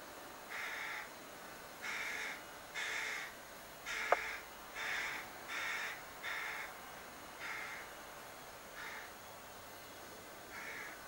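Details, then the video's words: A young crow keeps begging from a cherry tree outside a window, roughly eleven rasping caws at about one-second intervals, fading slightly toward the end, with one sharp click near the middle. "Begging Crow"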